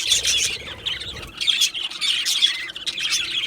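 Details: Male budgerigars, two birds, trading bright chirps and short whistled tweets in loose bursts roughly every half second, with a fainter scratchy warble underneath.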